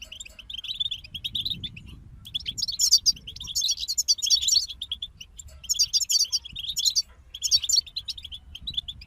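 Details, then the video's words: Several European goldfinches sing a rapid, jingling twitter of high notes with buzzy trills, in phrases of two to three seconds separated by short pauses. "King of Songbirds Goldfinch Group Motivations for Songbirds"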